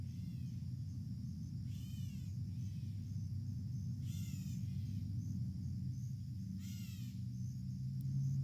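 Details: Gray Catbird, one of two unhappy at a person and dogs entering a St. Charles backyard in early September 2022, giving three faint, harsh, nasal, rasping calls every two to three seconds over a steady low rumble.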